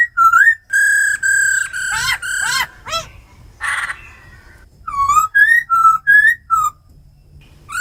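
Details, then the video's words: Laughingthrushes, a female calling ro khẹt and a tame black laughingthrush in forest voice song; sustained whistled notes with falling sweeps, a short rasp, then a string of wavering looped whistles and quiet gaps. "Tiếng chim khướu mái ro khẹt + khướu mun thuần hót giọng rừng kích bổi căng lửa"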